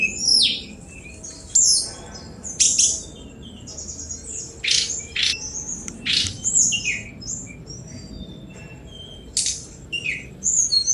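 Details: Sunda robin delivering scattered bursts of sharp high chips and short whistled phrases, separated by brief gaps, against faint background hiss.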